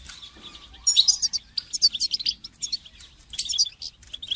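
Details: For song training, a goldfinch delivers a dense, tumbling twitter of high, tinkling notes with buzzy trills, nearly continuous over a few seconds with only short gaps.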